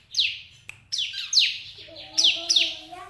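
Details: Bar-winged prinia in a breeding cage sings loud, high, descending chirps about every half second, with a click between phrases and faint lower whistled tones toward the end.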